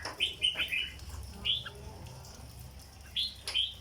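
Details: Red-whiskered bulbul in a cage giving 'dok' song: a few bright, fluty whistled notes at the start, a single phrase midway, then two more whistles near the end, over a low hum.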